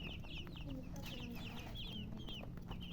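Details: Colored chickens chirping: high, thin peeps, each sliding downward, come in quick overlapping bursts from several birds. A low steady hum and some clattering sit underneath.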